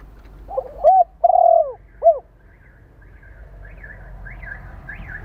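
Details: Spotted dove cooing, used to stimulate and train decoy birds: a soft stuttered lead-in, a short note, a long wavering coo and a brief arched final note, then quiet with faint high chirps from small birds.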